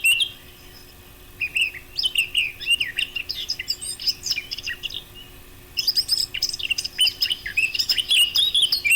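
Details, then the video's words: Song of a Eurasian blackcap, played as a hunting lure: brief opening notes, a pause, then two long runs of lively warbling with chattering and pure whistled notes, loud and high-pitched. "صوت التيان للصيد ابو قلنسوة // Blakcap bird sound"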